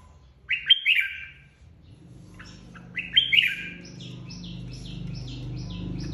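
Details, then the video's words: Red-whiskered bulbul flock leader, newly separated from the aviary, in singing contest: two loud warbled descending phrases, then a quick run of short repeated chirps, over a steady low hum. "Chào mào đầu đàn mới tách avi ra ( chào mào hót đấu)"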